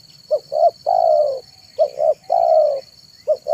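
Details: Spotted dove in afternoon manggung song, meant to attract wild doves: two brief rising coos and a long smooth descending coo, repeated twice in quick succession with a third starting, over a steady high whine.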